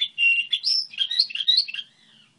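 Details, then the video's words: Goldfinch hybrid in model song, a sustained whistled note followed by a rising phrase and a quick tumbling twitter that fades out. "Hibrid sticlete ,model de cântec (Goldfinch hybrid)"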